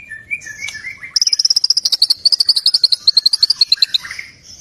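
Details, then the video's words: White-rumped shama, complete song repertoire (isian lengkap): a few soft slurred notes, then a fast, very regular high trill of about thirty sharp pulses, closing with a lower rising whistle. "murai gacor isian Lengkap""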